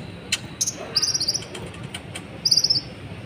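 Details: Sunbird, known as konin or kolibri ninja, singing to provoke other birds. Short high ticks followed by two buzzy, rapidly pulsed trills, the second more than a second after the first.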